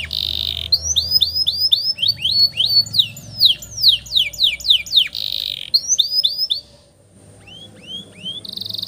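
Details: Canary singing master song with long rolls for young canaries: a buzzy roll, series of quick rising slurs, steep falling swoops, another buzzy burst, a brief pause, then soft rising chirps and a final buzz.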